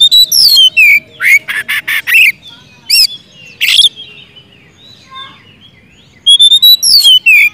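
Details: Oriental magpie-robin song in the 'gacor ngeplong' style, used as a rival-calling lure for birds that will not sing: loud, sliding whistled phrases broken by harsh, scratchy bursts, then a quieter pause before whistling resumes.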